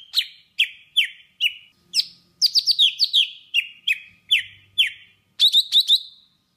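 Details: Golden-fronted leafbird of Vietnam gives a trapping-lure song of crisp falling whistles repeated about twice a second, breaking into quick clustered triplets partway through, over a clean, quiet background.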